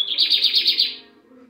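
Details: Captive lined seedeater (bigodinho) in Brazil on a Sunday, 18 December 2022; a loud, high buzzy trill of about six rapid pulses over less than a second, fading out, with a faint low background hum.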